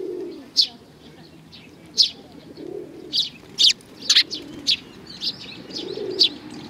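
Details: At a Tenmangu shrine in Japan on 22 May 2019, sparrows give scattered sharp chirps, some in quick clusters, while soft low cooing rises and falls in the background.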